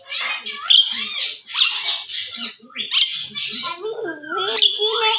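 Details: Javan myna (jalak kebo) giving harsh, raspy bursts mixed with short high whistled notes and wavering lower tones, about five phrases in quick succession with brief pauses.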